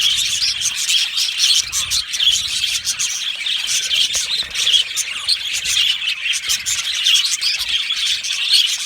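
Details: Budgerigars in an aviary colony, a dense nonstop chorus of high chirps, squeaks and warbling twitters overlapping throughout with no pauses.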